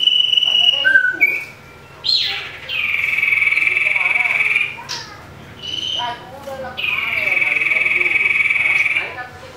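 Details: Common iora fighting a rival and provoking other birds. Short whistled notes lead into two long, steady, pulsing trills of about two seconds each, with brief rising chips between them.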